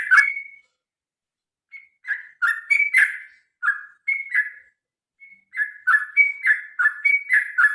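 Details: Fighting-style song of a sooty-headed bulbul (trucukan), played to make birds sing: a sharp opening note, a pause, then rolling sequences of mellow whistled notes swinging up and down in quick succession.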